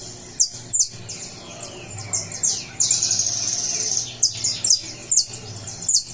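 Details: Saffron finch coming out of moult, recorded 20 July, singing high, sharp chirped notes in short bursts with a longer buzzy trill in the middle, over a low steady background hum.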